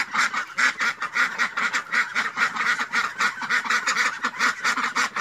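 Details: A flock of ducks quacking together, harsh nasal calls tumbling over one another in a constant clamour.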